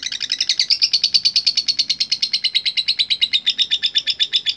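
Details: Lovebird singing 'latah gacor', a song meant to call out rivals at bird contests: a fast series of sharp, high twittering notes, about three per second, steady and unbroken throughout.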